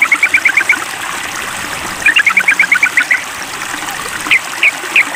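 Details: Sooty-headed bulbul calling a rival in a mental test, giving a quick run of even chattering notes, then a longer rattling series and three separate upslurred chips, against constant trickling water.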